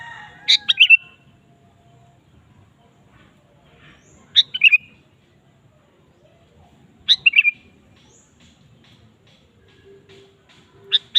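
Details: Sooty-headed bulbul used as a lure to stir a caged bulbul into song; brief chirpy two-part phrases dropping in pitch, spaced about three seconds apart, with quiet gaps and a faint low hum between.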